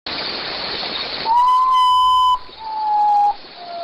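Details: Potoo in forest: after a burst of loud hiss, clear mournful whistles step downward, one long steady note followed by lower, shorter ones.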